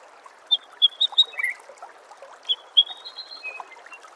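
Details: White-rumped shama song used as a master recording for training songbirds: clear whistled notes near the same pitch given in a quick series, a pause, then two more whistles leading into drawn-out higher tones, over faint background hiss.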